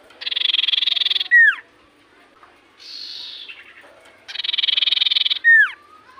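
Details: Common iora in full voice, song said to make other ioras reply: two buzzy, harsh bursts each about a second long, each ending in a sharp downward-swooping whistled note, with a softer falling rasp between them.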